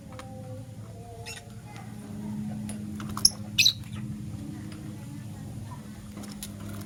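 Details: Lovebirds, a green Personata and a yellow pastel pied, in the morning: two brief, sharp, high chirps, the second a quick double, over a steady low mechanical hum with faint rustling.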